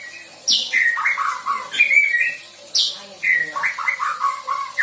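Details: Young white-rumped shama learning song material delivers varied phrases: sharp high notes falling into clusters of short slurred whistles, repeated in two bursts.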